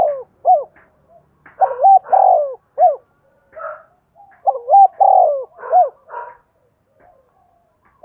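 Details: Spotted dove in the giọng đồng voice style, played as a lure to provoke wild giọng thổ doves: two full husky coo phrases, each a quick run of rolling notes ending in a longer drawn-out coo, separated by short silence.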